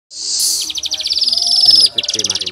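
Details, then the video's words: Weaver song for training songbirds: a loud, high rasping phrase of rapid buzzy pulses that rise in pitch, then a short pause and a second burst of fast rattling notes, with faint voices and music underneath. "Manyar Gacor Tembakan Kasar Cocok Untuk Masteran!"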